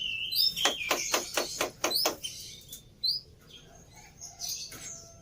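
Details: A Black-winged myna song used as a lure to get a silent bird to sing: a quick string of about eight buzzy, clicking notes over whistles, then scattered softer chatter with light background hiss.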